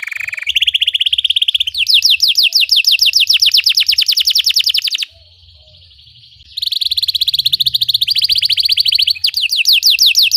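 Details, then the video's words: Belgian canary singing, used to train other canaries to sing: a steady high whistled tone, then rapid descending trills repeated several times a second, a brief pause near the middle, then more fast trills. "Belgian canary singing makes your canary sing"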